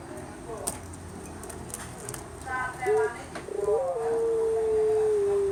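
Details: Javanese Puter, a collared dove, opens with a brief low coo after some background noise, then a rolling, stuttered onset leading into a long, steady, level note that carries to the end.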